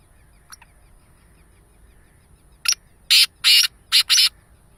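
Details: Black francolin, locally called kala teetar: a single faint note, a pause, then four loud, harsh, grating bursts in quick succession near the end. The background is otherwise quiet.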